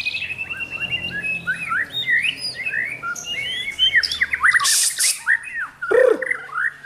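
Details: White-rumped shama, trained to sing with a champion's mentality, produces a dense, rapid medley of chirps, arching whistles and harsh rasping bursts.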